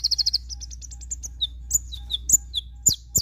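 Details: Javan white-eye in 'tembakan' style: a fast burst of high staccato notes, then spaced thin whistles and sharp downslurred chips, with a steady low hum underneath.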